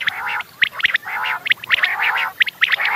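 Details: Morning chorus of quails: rapid overlapping chirps, bright high ticks interleaved with buzzy nasal notes, repeated in clusters about every half second.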